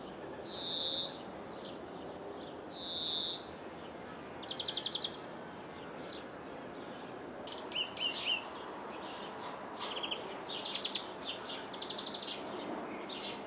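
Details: Greenfinch in Jordan, heard through a window: two long buzzy nasal wheezes, then a quick rattled trill and a run of bright twittering, metallic chirps that continue to the end.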